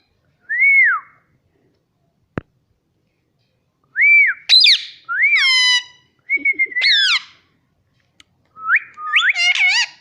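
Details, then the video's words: Pet Indian ringneck parrot kept indoors; clear whistled notes near a steady pitch, some rising and falling, mixed with short harsh squawks, coming in bursts separated by silence, with one sharp click. "parrot talking mummy || papa bolta tota || indian ringneck parrot"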